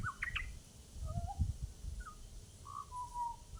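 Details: Butcherbird in Australia giving clear, fluty whistled notes: a few quick sliding notes at the start, then scattered mellow, level or gently falling whistles spaced through the clip, over a steady low rumble of background noise.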